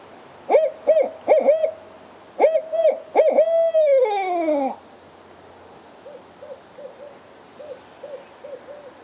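Barred owl giving a quick run of rhythmic hoots that ends in a long, drawn-out descending note, then fainter hoots; a steady high whine runs throughout.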